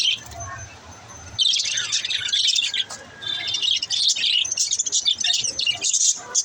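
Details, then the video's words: Budgies chirping as pets, to help lonely budgies chirp: a quiet start with a soft hum, then a sudden burst of lively high chattering, warbles and chirps continuing densely to the end. "Help lonely budgies to chirp"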